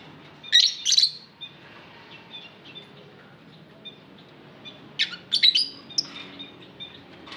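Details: Lovebirds chirping in an aviary, with a pair of shrill, scratchy calls, a stretch of quiet soft twittering, then a louder cluster of several sharp chirps near the end.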